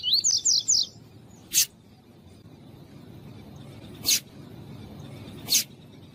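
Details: Male double-collared seedeater (coleiro tui-tui) with a female calling, a warm-up recording used by breeders to stir birds to sing: a short phrase of four quick, high, rising whistled notes, followed by three sharp clicking bursts over low background hum.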